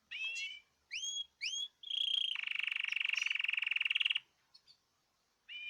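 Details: Birds in cages singing as a group: three quick rising whistles, then a long rapid buzzing trill of about two seconds, ending with another whistled phrase.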